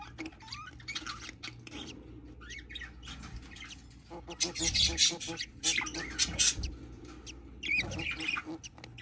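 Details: Budgerigar hatchling, newly hatching baby budgie: harsh, raspy broadband squawks in short bursts, sparse at first, then clustering loudest in the middle and again near the end, over a low steady background rumble.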